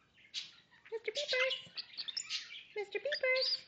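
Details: Male pet Goldie's lorikeet (Glossopsitta goldiei) courting its owner's hand, chattering in quick bursts of buzzy, squeaky notes, purrs, sneezes, chicken-like clucks and thin high whistles, with brief pauses; he also says "What's this?" near the end.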